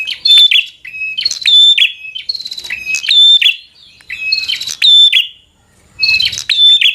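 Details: Provocative fighter song of a bar-winged prinia: phrases of loud, piercing chirps and ringing notes roughly every two seconds, separated by short silences.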